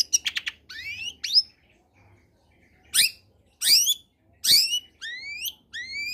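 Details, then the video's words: Long-tailed shrike in full, lively song, a combination recording used as a lure to get quiet shrikes singing: a quick buzzy rattle, then slurred rising whistles and sharp downward-sweeping notes with short pauses. "Suara Asli Cendet Gacor Kombinasi.. Solusi Pancingan tepat buat cendet malas bunyi agar ikut bunyi"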